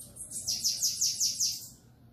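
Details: Bananaquit (sibite) singing the style called 'Belga': a quick, very high series of six thin, descending buzzy notes about one per fifth of a second, over a low background hum.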